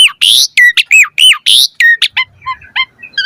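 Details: Asian pied starling, 'mompa' variation lure song for caged starlings: a fast run of loud, harsh, rasping notes mixed with ringing whistles, about three per second, easing into softer, higher whistled phrases.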